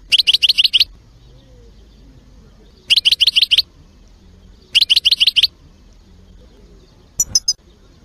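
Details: European goldfinch song with short bursts of fast, high, rattling chirps repeated about every two seconds, followed by a brief tinkling note at the end.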